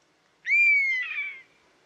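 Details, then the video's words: European honey buzzard calling once: a mournful whistle near one second, rising sharply at onset, holding a steady slowly descending pitch, then breaking into a buzzy, quavering finish before fading. "Mehiläishaukka - Pernis apivorus - European Honey Buzzard - bivråk"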